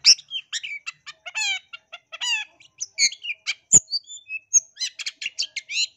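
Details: Lure recording of an East Java long-tailed shrike, used to provoke other shrikes into aggressive singing. Varied song mixing harsh rasping bursts, clicks and high whistled notes, busy and uneven, with quiet gaps between phrases.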